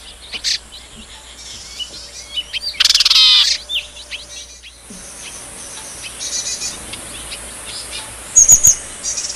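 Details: Wild yuhina foraging in nature to find food for its young; sharp high chirps and a burst of rapid stacked twittering notes, then scattered faint tweets over a steady high background hiss.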